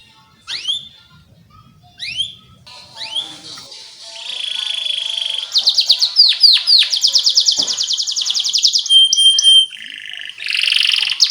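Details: Canary song used as a lure for training young canaries. A few faint, separate downslurred whistles come first. A loud, fast run of repeated high sweeping notes and steady trills follows, rising and falling in pitch.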